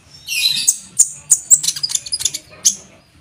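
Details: Olive-backed sunbird master song with cucak jenggot style, for training cage birds: a dense run of sharp, high, clicking chirps and rapid twittering notes, fading to quiet at the end.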